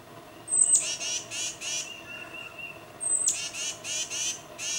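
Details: Tufted titmouse calls to its mate with two bursts, each a sharp high squeak followed by raspy, buzzy descending notes. A soft, level whistled tone sounds between the bursts over light background hiss.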